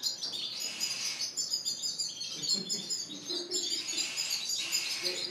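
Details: Spanish Timbrado and Gloster canaries in a bird shop, 9 April 2016, singing well in breeding season: several at once in a dense wash of bright, rapid trills and twittering chirps, with a faint low background murmur.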